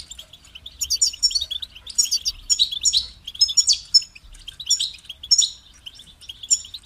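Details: European goldfinch delivering a continuous, lively twitter of sharp high notes, with buzzy chirps and short trills tumbling over one another for about seven seconds.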